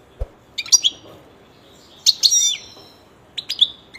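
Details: Kept European goldfinch producing three brief bursts of high, sweet twittering notes with quiet gaps, and a faint tap at the start.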